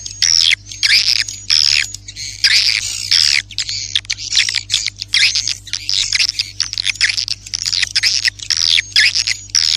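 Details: Swiftlet attraction call: harsh, loud twittering chatter in long dense bursts separated by brief gaps, over a constant low electrical hum.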